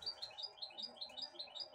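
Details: Goldfinch hybrid kept as a pet, fed broccoli by hand; quick, evenly spaced high twittering notes, roughly five per second, over a faint constant indoor hum.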